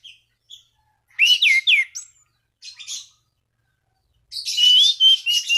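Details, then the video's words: Orange-banded thrush song meant to provoke rival thrushes into singing, with brief soft notes, a burst of three loud slurred whistles mixed with harsh twitters, a short scratchy phrase, then a long warbled whistle with buzzy overtones. "Anis Cendana Gacor MEMANGGIL LAWAN Pancingan burung anis lain agar berkicau"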